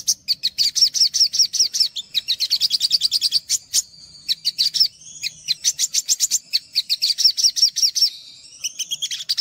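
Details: Olive-backed sunbird (sogok ontong) song, a tutor recording meant to draw out untrained sunbirds: fast, high, thin trills of sharp repeated notes, broken by short pauses, brief rising and falling whistles, then more rapid chattering bursts to the end.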